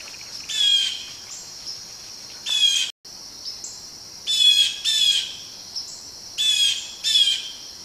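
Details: Blue jays mobbing a Barred Owl give harsh, raspy jeers, often in pairs, about every one to two seconds, over a steady high insect whine.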